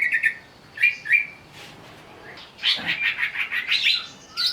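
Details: Greater green leafbird provoked to sing while agitated: short chirp pairs, then a rapid, dense chattering run of buzzy notes and a final whistle.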